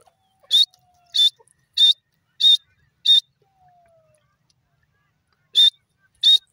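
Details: Male grey francolin giving sharp, high, clipped notes. Five come evenly about every 0.6 seconds, then a silent gap of over two seconds, then two more. A faint low whistle glides downward in the background.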